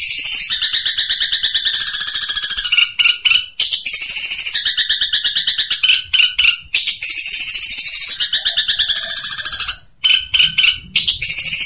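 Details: Long-tailed shrike in 'tembakan unik' training style: long, loud, buzzy rattling phrases lasting about two seconds each, separated by short bursts of sharp chips.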